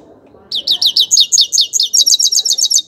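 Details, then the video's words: A grey-crowned goldfinch gives a loud, regular string of high, slightly buzzy twittered notes, repeated rapidly and evenly after a short quiet lead-in. "Пение щегла | пение седоголового щегла"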